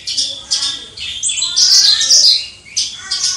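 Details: Kept Javan bush lark singing in the prized gacor crystal-voice style, recorded from a distance: bright, high, rapid chirps and trills in dense bursts, briefly dipping before a sweet warbled run and further sharp notes.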